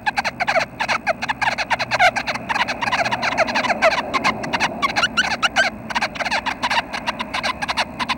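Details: Nuthatches at their nest on the morning of May 25 at 6:30, expected to fledge that day; dense, rapid bursts of short, clicky, scratchy notes overlap almost without pause, several calling at once over a faint low hum.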